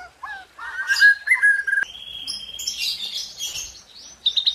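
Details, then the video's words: White-rumped shama song in tembakan and isian style: low warbled notes, a sustained steady whistle, then a softer jumbled high passage ending in quick repeated notes. "Dahsyaaatt Tembakan & Isian Murai Batu // AmAzing Bird chirping like no tommorow"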